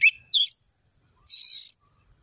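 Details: Orange-headed thrush in varied song for tutoring juveniles: one short sharp note, then two long, high, buzzy whistled strains, each about half a second, the second falling at its end.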